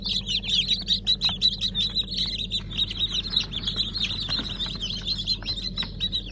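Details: A crowd of freshly hatched chicks from Fizan, Siyah Sultan, Silver Wyandotte and Brahma breeds on 15 July 2019, giving rapid, shrill, slightly falling peeps, many at once, with a low hum beneath.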